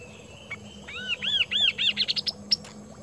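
A kaso-kaso bird sings a quickening series of about ten arched, whistled notes that climb in pitch and end in sharp ticks, over a faint steady hum.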